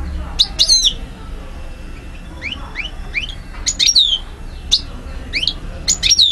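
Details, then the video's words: Algerian European goldfinch recorded 2012, singing a varied phrase of high twitters, rising slurred notes and sharp falling whistles, delivered in quick groups against a quiet background. "Vidéo Carduelis* chardonneret* jilguero* حسون alger ( Algeria) DZ 2012"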